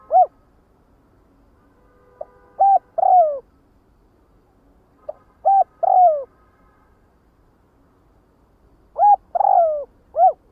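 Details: Spotted dove flock call repeated three times at roughly three-second gaps: a short coo, a long downward-gliding coo and a brief rounded note. A faint steady tone sounds under the first phrases.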